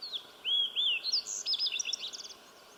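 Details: A slate-colored Fox Sparrow singing along Sawmill Creek, one of many songs over several minutes: a quick phrase of rising and falling slurred whistles, then a run of buzzy rapid notes; faint hiss.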